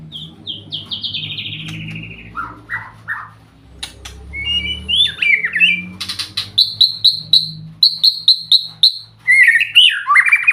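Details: White-rumped shama singing a sweet, varied song: loud clear whistles sliding downward, then bursts of sharp repeated notes and rich warbled phrases, with short pauses between phrases.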